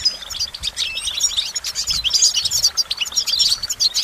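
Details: A goldfinch sings a continuous, bright, tinkling warble of rapid high notes and short buzzy trills, running without a break for the whole stretch.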